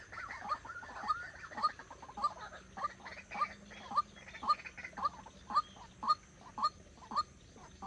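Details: White-breasted waterhen used as a lure bird for trapping, being trained: loud, regular harsh notes repeated about every half second, each ending in a bright click-like tone, with a faint low hum underneath.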